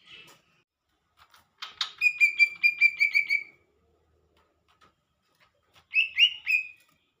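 Lesser green leafbird song: a quick run of about eight bright, clear, slightly buzzy notes, then a short burst of three similar notes after a pause.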